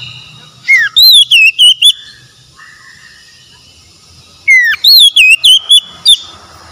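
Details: Oriental magpie-robin, described as stressed and falling silent, heard in two loud phrases. Each opens with a falling slurred whistle, then four or five clear whistled notes in quick succession. A faint steady hum runs underneath.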